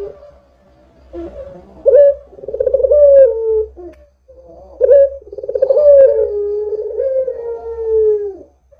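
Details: Barbary dove in full voice, recorded as a lure for other doves: quiet purring, then a sharp rise into a rolling coo and a long, steadily sinking drawn-out note.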